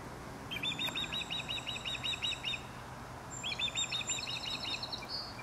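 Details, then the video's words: Osprey from Dartmouth, Nova Scotia, repeating bursts of high, clipped chirps: one run of about ten notes, a short pause, then a second similar run, with a faint low hum beneath. "Osprey Calling"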